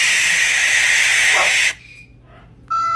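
A barn owl gives one long, harsh, hissing screech lasting almost two seconds. A faint fading whistle follows, and a bright tonal call begins just at the end.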